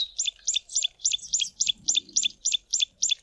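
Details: Tawny-flanked prinia calling from bushes near a stream repeats a sharp, high chirp about four times a second in a steady run, with faint low rumbling underneath.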